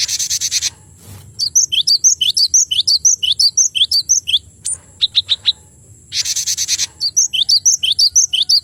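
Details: Male Cinereous tit singing: bright, sharp two-note phrases high in pitch, repeated about twice a second in a steady run, with a short break of scattered clicks and rapid trilled notes, and two bursts of harsh rushing noise.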